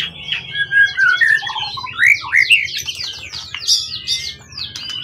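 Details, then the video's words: Wild-origin forest competition bird, tail over 20 cm, long in care and calm: smooth looping whistles and mellow slurred phrases, then higher twisting notes, over a low background hum. "Burung event ori hutan ekor 20cm up lg on banget prestasi burung hutan gk giras ya rawatan lama."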